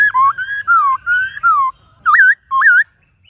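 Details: White-cheeked laughingthrush singing in the wild-style forest voice, many voices, meant to stimulate and train kept birds: loud, clear whistled phrases gliding down, then two short looping rising-and-falling whistles.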